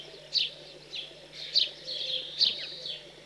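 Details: House sparrow young being fed after fledging in cold countryside of central France, 15 June 2020: three loud, sharp high chirps spaced about a second apart, with softer chirps between them and a faint low hum.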